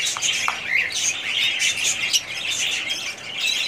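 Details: A budgie flock chatters in rapid, overlapping squeaks and harsh squawks, with a couple of short upward whistles early and a steady twitter beneath.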